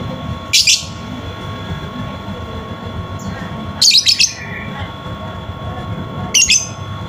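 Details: Lovebird chirping used to stimulate a silent lovebird to sing: three sharp high squeaky bursts, the middle one stuttered, about three seconds apart, over a low rumbling background.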